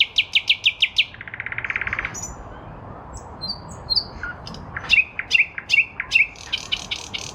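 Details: Spring 2023 nightingale in a lilac bush: a fast run of loud repeated notes sliding into a low buzzy trill, soft whistles, then another series of sharp, regularly repeated notes.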